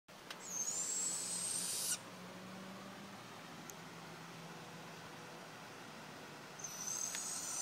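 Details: Barn owls calling at night: two long, harsh, hissing screeches of about one and a half seconds each, slightly rising, open and close the stretch, with a low steady hum and quiet background between them.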